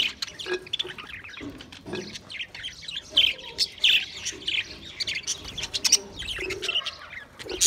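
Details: Several pet budgerigars recorded on 28 April 2023: busy overlapping chirps and short squawky warbles, bright and high, bursting every half second or so. The flock keeps up a continuous twittering throughout.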